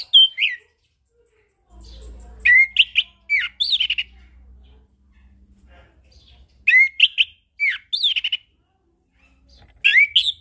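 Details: Chestnut-capped thrush 'ngeplong' song for morning, noon and evening, meant to set off silent birds: three bursts of rich warbled whistles and chattering notes, roughly every three to four seconds, with brief low hum.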